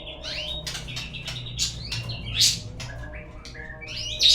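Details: Lure song of a white-rumped shama used to get birds singing: lively jumbled whistles, chatters and sharp clicking notes delivered in quick succession.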